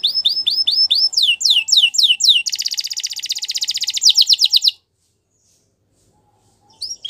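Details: Singing Belgian canary for training young birds: a row of curved whistled notes, faster high sweeps, then a dense buzzy rattle before silence and a brief restart.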